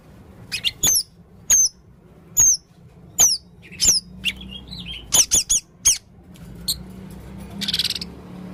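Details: Male Blue-crowned hanging parrot in full voice, making odd calls: sharp, piercing squeaks that drop in pitch, repeated roughly every second, then a quick triple burst and a softer hissing sound at the end.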